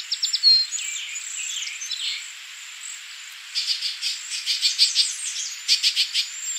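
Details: Cedar waxwings at Tawas Point, Michigan, USA, on 19 May 2023 give thin, high, lisping trills and sibilant notes in short bursts, several birds overlapping against a faint background hiss.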